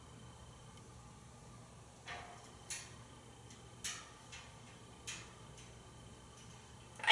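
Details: Quiet indoor room with a few sharp clicks and knocks, ending in a louder clatter; no animal voice heard.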